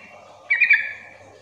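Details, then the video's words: Bulbul lure call from a sooty-headed bulbul, to prompt other bulbuls to respond: one short phrase of three rich bubbling notes rising slightly in loudness, then tapering off, faint low hum behind. "pancingan agar trucukan bahan cepat gacor bunyi Sahut sahutan"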